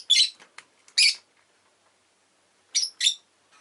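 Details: Rosy-faced lovebird kept as a pet, one of them orange, calling with sharp shrill chirps: a quick cluster of two to three in the first second, silence, then a paired burst near three seconds.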